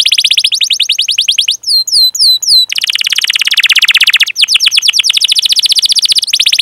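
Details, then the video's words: Canary song used as a tutor recording to lure young, untrained or silent canaries into singing, with long chirping 'cuit cuit' rolling phrases. The song is high, dense and buzzy. Rapid repeated chirp trills are broken by a few clear, downward-swept whistled notes. "Masteran Suara Burung Kenari Gacor Panjang cuit cuit Ngerol untuk Pancingan Kenari!"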